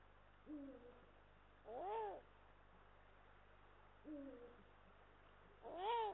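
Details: Nest-camera sound from a Eurasian eagle-owl nest in Estonia with male and female present, 18 March 2022: short flat two-tone notes alternating with louder arched wailing calls, each pair repeated about every four seconds, steady hum beneath.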